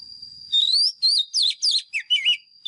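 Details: A White-rumped shama used as a lure gives its fighting song for caged-bird voice training: a long rising whistle followed by several quick looping, descending slurred notes, over a constant thin high tone.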